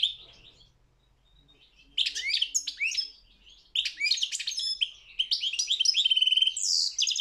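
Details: World championship goldfinch song contest, European goldfinch: near silence for about two seconds, then bursts of high twittering, slurred whistles and trills broken by a short pause, ending in dense chattering.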